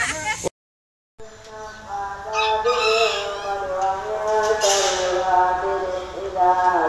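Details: Kate bantam chicken kept at a composite workshop in Bandung, Indonesia, gives a drawn-out, harmonic, crow-like call after a brief drop-out at the start, with people talking loudly over and around it.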